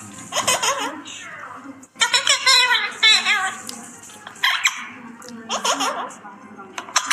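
A parrot chatters in bursts of shrill, speech-like babble with rising and falling tones, broken by short pauses; laughter-like sounds come through in a small room.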